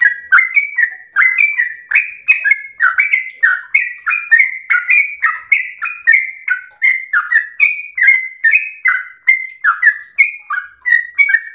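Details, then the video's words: House-kept sooty-headed bulbul singing long, unbroken ropel slow song for training: dozens of quick whistled phrases, each a sharp high note sliding to a lower burry tone, strung together rapidly with even rhythm throughout. "trucukan SUPER GACOR ROPEL SLOW terbaik untuk masteran trucuk rumahan"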